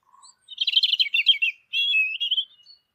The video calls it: European Robin Peaceful Chirping